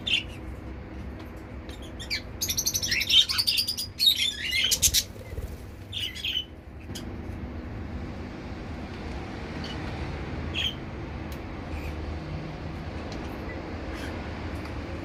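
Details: Zebra finches in a mixed outdoor balcony aviary of a Dubai flat, pairs flying about; a dense burst of short nasal, harmonic-rich calls for a few seconds, then sparse single notes over a steady low traffic-like hum.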